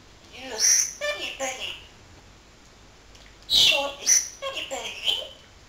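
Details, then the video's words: A talking parrot mimicking human speech in two bursts of harmonic, word-like chatter. The second burst comes after a pause of about a second and a half and is louder. Faint hiss in the background. "BEST TALKING PARROT IN THE WORLD"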